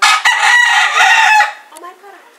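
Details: Rooster crowing close and very loud beside a cockfight in Puerto Rico during winter, a strained sustained crow of about one and a half seconds that drops away into softer calls.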